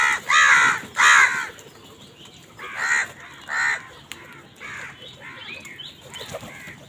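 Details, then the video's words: Several crows fighting for food, calling in a rapid series of rough, grating caws, loud at first, then fading into softer overlapping calls. "কাকের ডাক Crows fight for food Crow Sound"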